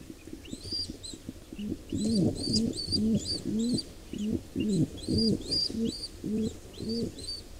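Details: Wild pigeons at a nest where a squab is being attacked by an intruder pair; low arched coos pulse about twice a second in a steady run, over thin high whistled squeaks and faint movement noise.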